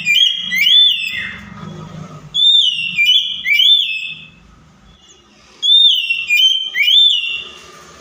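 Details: An Oriental magpie-robin, recorded as a lure song to prompt other magpie-robins to sing, gives loud, rich whistled phrases with slurred rising and falling notes in three bursts separated by short pauses.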